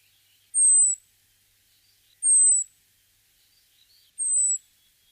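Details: European robin recorded in Guadalajara, Spain, in February 2010, giving thin, very high drawn-out notes, each slightly falling, repeated about every two seconds, with faint twittering in the background.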